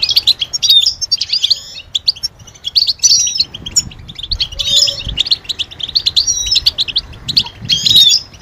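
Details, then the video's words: European goldfinch twittering that signals mating readiness and prompts males to sing: rapid liquid chirps and tinkling trills in short bursts every second or so, with a faint hum in the background. "علاج سكوت الحسون بتبتة 💯💯 تحفز الحسون على التغريد والهيجان والجهوزية"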